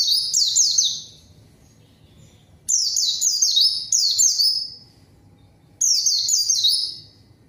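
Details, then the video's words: Pleci, a white-eye, singing as a lure to challenge rivals: three bursts of shrill downward-sliding notes, each burst about a second long, spaced by quiet pauses. "PANCINGAN PLECI GACOR MANGGIL LAWAN COCOK UNTUK PLECI DIAM AGAR CEPAT BUNYI DAN GACOR"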